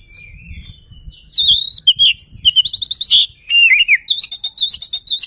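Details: Oriental magpie-robin (kacer) singing to provoke a rival: after a second of faint low rumble, loud varied whistled phrases with rapid chattering notes, sharp repeated chips and trills in quick bursts.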